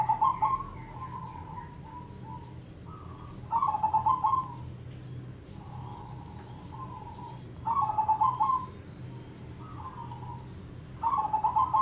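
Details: Zebra dove song in crossing rhythm with triple ketek notes, bird in lively full voice: three mellow cooing phrases roughly four seconds apart, each opening with a quick trill, then stepped, sustained coos, over a constant low background drone.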